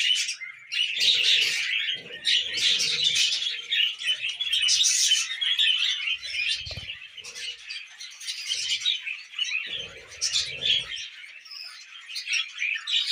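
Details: Captive pet budgerigars eating millet chatter for a long stretch, a fast, uneven stream of chirps, warbles and harsh notes, with occasional low knocks and rustles.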